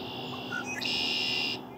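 A Red-winged Blackbird gives two short, clear introductory notes, then a loud, buzzy, high trill lasting under a second. There is faint background hiss.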